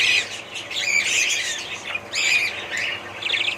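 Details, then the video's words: Budgerigar family chattering: bursts of scratchy squawks and rapid twittering notes from a few birds, with short pauses between bursts. "ali family budgies parrots"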